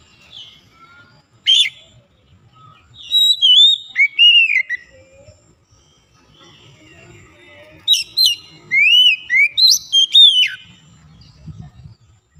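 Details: Kacer (Oriental magpie-robin) being brought back from silence into song: scattered thin whistles, then two lively bursts of looping, rising and falling clear notes, with faint low background noise.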